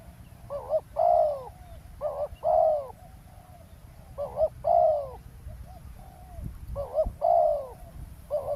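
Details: Spotted dove calling while used to lure a wild dove during ground trapping beside a road in Thailand; low hollow two-part coos, a short note then a longer drawn coo, repeated about every two seconds over faint rural background noise.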